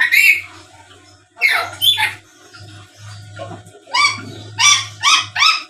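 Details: Black-capped lory, a talkative chattering bird used as a lure for rival birds: loud harsh squawks, some rising, arriving in irregular clusters over a steady low electrical hum.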